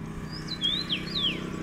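Common rosefinch giving three clear, slurred whistles, high-pitched and sweeping up and down within under two seconds, over a low steady rumble.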